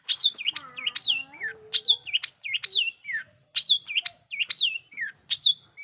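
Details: Long-tailed shrike lure song aimed at provoking other shrikes: clear, looping whistled phrases that swoop up and down, repeated about every second with short sharp upward flicks between them.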